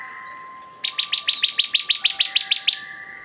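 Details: Bar-winged prinia singing one even run of about a dozen bright, sharp, high notes at a brisk steady rhythm, preceded by a thin whistle, over a faint constant hum.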